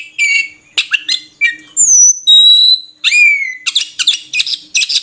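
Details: Oriental magpie-robin (murai kampung) song of short chattering notes, then two long pure whistles, one falling and one steady, followed by a swooping slur and quick chirps.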